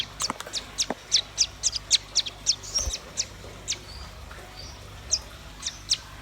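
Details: Red-billed nuthatch or white-rumped shama song: a rapid series of sharp, high, thin notes, about four a second and somewhat irregular, over a faint low hum.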